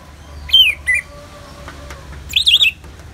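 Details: Ngeplong song of an Orange-headed thrush, set to natural rain sounds for bird therapy: two short slurred whistles, then after a pause a tight cluster of three looping whistled notes over a low steady hiss.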